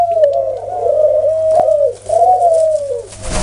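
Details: A dove coos in long, mellow, low-pitched hums, two sustained wavering phrases separated by a short pause, ending with a burst of noise.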